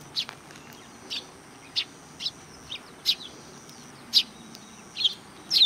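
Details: Sparrows greeting at a Tenmangu shrine in July 2020: evenly spaced single chirps roughly every half second to second, growing louder toward the end, against quiet background.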